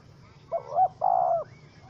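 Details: Spotted dove (Spilopelia chinensis), a wild bird caught in a trap with small rope, described as angry, recorded 04/07/2017: a short low coo followed by a longer, steady hooting coo, with faint low hum beneath.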